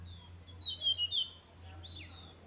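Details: Tickell's blue flycatcher singing at Nandi Hills, Karnataka, on 4 June; a quick run of thin, high, sweet whistles sliding up and down, about a dozen notes in two seconds, over a steady low hum.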